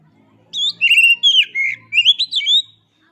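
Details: Oriental magpie-robin singing, a tutor recording for caged birds: one rich two-second phrase of clear, slurred whistles that rise and fall in quick succession, with a few sharp high notes over a quiet background.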